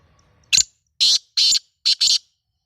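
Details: Loud grating call of a pet Sindhi black francolin, known as kala teetar: five rasping notes in a rhythmic phrase, a short opener, two drawn-out notes and a fast closing pair, with near silence around them.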